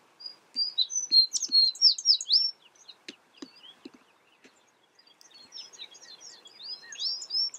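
American tree sparrow: bursts of high, tinkling, twittered chirps in quick runs, two spells of rapid calling separated by a quieter gap.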